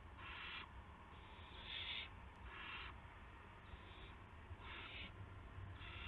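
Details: At 8:00 PM on March 18, 2016, an owl brings a gopher to the nest; hoarse hissing calls in short bursts, about six, spaced unevenly with brief quiet gaps and a constant low hum.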